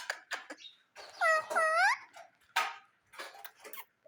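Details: Pet parrot in a happy mood giving harsh, ringing squawks in a short burst. Scattered clicks and chatter come before and after, indoors.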